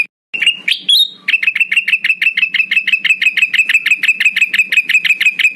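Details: Male black-headed bulbul calling to rivals: after a few higher, drawn-out notes, a continuous fast chatter of identical bright chips runs on at an even pace.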